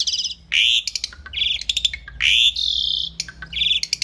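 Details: Asian pied starling (jalak suren) singing vigorously in a masteran tutor recording for training songbirds: loud harsh buzzy notes with stacked overtones alternate with steady high whistles and sharp clicks, in quick broken phrases.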